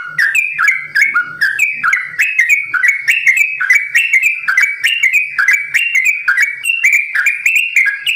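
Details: Caged sooty-headed bulbul from a bird farm singing a long rapid 'ropel panjang' song: quick chains of slurred whistled notes, each rising or falling, running without pause, with a faint low hum underneath.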